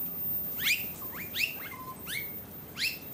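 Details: Australasian figbird filmed on the Sunshine Coast, Queensland, in October 2022, giving short, sharp downslurred whistles, some with a lower level tail, about five notes in three seconds over faint background hiss.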